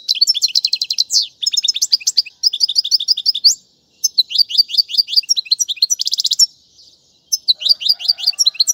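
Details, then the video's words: European goldfinch song recorded for teaching young birds, featuring named song styles such as tiwawati and mandolin; rapid bright twittering phrases of repeated notes and quick trills, broken by short pauses, with a faint low hum near the end. "أفضل تغريد الحسون"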